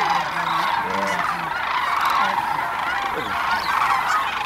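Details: Thousands of sandhill cranes feeding in a barley field at Monte Vista Wildlife Refuge: overlapping rolling, trumpeting rattles forming a constant dense flock chorus with no single bird standing out.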